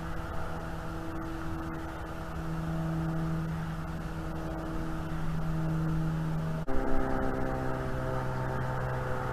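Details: A steady, low engine-like hum with sustained tones and a sharp click near the end; no animal voice is heard.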